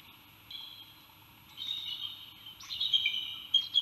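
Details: Bald eagle on Santa Cruz Island in 2018: faint high piping begins halfway, then strengthens into a run of thin, chattering, whistled notes, loudest near the end, over low background noise.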